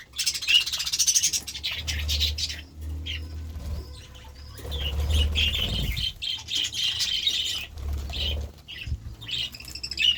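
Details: A group of budgerigars feasting on vegetables chatters in long buzzy, warbling stretches broken by short gaps, with low wing flutter and rumble.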